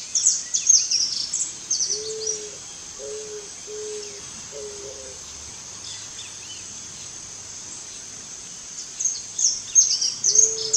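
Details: Eared dove giving a series of short, low, even coos, about one a second, then a pause and another coo near the end; sharp high-pitched chirping from other birds comes and goes in the background.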